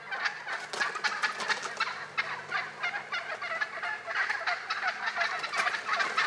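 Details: Wild turkeys in Rhode Island in early spring, giving dense, rapid gurgling rattles that overlap and run almost continuously, with quick bursts repeating through the whole stretch.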